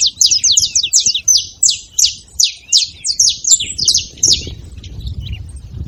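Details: Free-living Saffron finches at a feeder chatter in quick, high, overlapping chirps that fade after about four seconds, leaving a soft low rumble.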